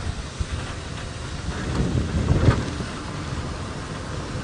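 Low rumbling engine and wind noise during an outdoor drive at sunset, swelling louder midway, with no animal voices.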